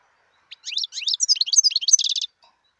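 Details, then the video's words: Wild European goldfinch singing one lively phrase of tinkling, sweeping chirps that builds into a fast buzzy trill, clear against a quiet background. "صوت الحسون البري"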